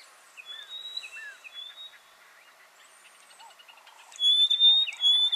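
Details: Rosy-patched bushshrike (Rhodophoneus cruentus) calling and duetting in Buffalo Springs National Park, Samburu, Kenya: clear, high whistled notes, some sliding up or down, ending in a louder burst of ringing whistles; faint other bird chirps behind.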